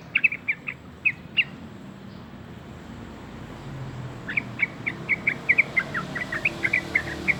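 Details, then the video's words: Two-month-old yellow-vented bulbul learning to sing: short, soft chirps and brief slurred notes, scattered at first and then in a faster, denser run, over a low background rumble. "Burung trucukan usia 2 bulan belajar berkicau"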